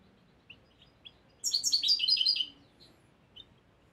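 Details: Young European goldfinch of the year, learning song from a recording: a few soft isolated chips, then a one-second burst of rapid, twittering, tinkling notes, and a couple more faint chips afterward.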